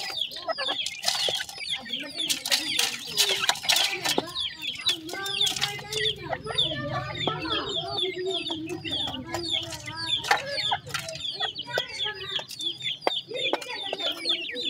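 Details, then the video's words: Grey francolin chicks, many at once, calling while feeding: a continuous twittering mass of high, sliding peeps, with frequent pecking-like clicks and a low hum partway through. "Teetar chicks awaaz, Grey Francolin chicks voices"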